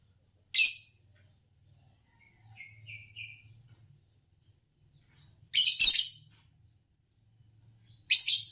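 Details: A green Fischer's lovebird, from champion song-competition birds, gives three harsh, shrill, screechy chirps a few seconds apart, with softer thin twittering notes in between and a low hum behind.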